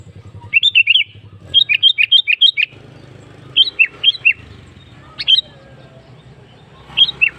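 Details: Lure recording of a sooty-headed bulbul, meant to prompt other caged birds to sing: several bursts of short, chirpy, up-and-down warbled notes in quick runs, with pauses between groups and a low background hum.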